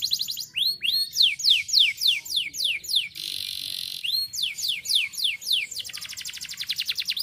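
A canary sings a fast, rolling series of rising whistled sweeps, about three or four a second, broken by a buzzy harsh phrase and ending in a quick trill.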